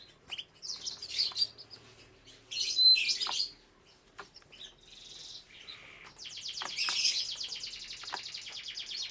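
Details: Caged domestic canary song, tied to canary breeding: scattered high chirps and short buzzy bursts, a softer lower warble, then a sustained rapid trill of evenly repeated notes.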